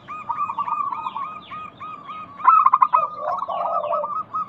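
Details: Local zebra dove song played as a lure for doves reluctant to sing: overlapping trains of quick, staccato cooing notes, a brief louder burst of clipped notes midway, then lower warbled phrases.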